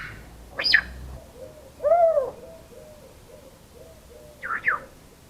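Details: African grey parrot making sounds: a sharp chirp early on, then a short arched harmonic whistle rising and falling, and a pair of quick bright chirps near the end, with quiet gaps between.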